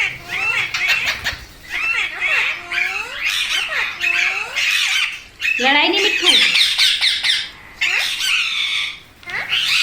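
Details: Pet parrot, called mitthu, calling indoors: loud dense harsh squawks and chattering phrases with rising and falling harmonic notes, nearly continuous for ten seconds with brief gaps.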